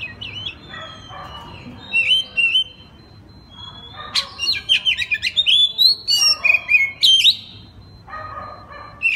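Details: Night song of an oriental magpie-robin in full open style, played to draw replies from other magpie-robins: varied sliding whistles and harsh rasping notes, building into a rapid run of sharp chirps about four per second.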